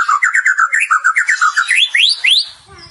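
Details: White-rumped shama, a champion contest bird, delivers a bouncing series of short whistled notes that climbs into several loud rising upslurs near the end, followed by a brief low rustle.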